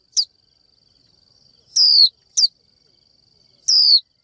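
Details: A female Japanese white-eye calls a male with the 'chíu' call that stirs males into song. Four clear descending whistles, two short and two longer, come at irregular spacing against a thin constant high-pitched tone.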